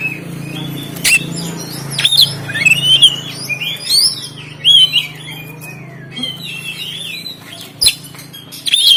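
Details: Caged oriental magpie-robin, Banten, phone-recorded, singing fast twisting whistled phrases and sharp clicks, a brief pause midway, then resuming with loud bursts; meant to provoke lazy birds to sing.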